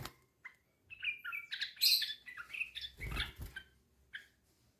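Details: Tame yellow-vented bulbul let out of its cage: a run of bubbly, varied chirps and short warbled notes rising and falling, with a brief rustle or tap midway and a last clipped note near the end.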